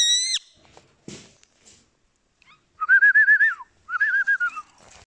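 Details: Rose-ringed parakeet mimicking human sounds: a short rising whistle opens, then after a pause two wavering, trilled whistled phrases.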